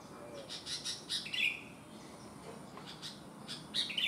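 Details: Sooty-headed bulbul with one abnormal foot, still singing actively like a normal bulbul, giving quick, bright chirping notes in two short bursts with a brief quiet gap between them.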